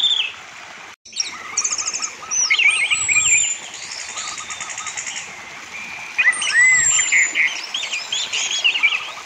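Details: Orange-headed thrush lure song for caged thrushes, rich and rambling, with swooping whistles, trills and slurred notes packed together, while a lower, evenly repeated chirping series and a brief dropout are heard beneath.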